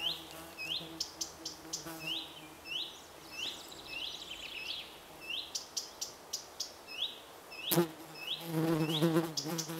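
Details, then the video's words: A mixed brood of a common cuckoo chick and six common redstart chicks begging with rapid, thin, high, overlapping chirps, several a second, over a low buzzing hum, with a sharp knock and rustling near the end. "Mixed brood of Cuckoo chick and six redstarts' chicks"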